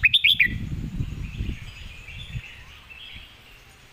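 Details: Red-whiskered bulbul competition bird opens with a fast burst of four clear whistled notes, followed by soft distant chirps and low rumbling background noise before one more note at the very end.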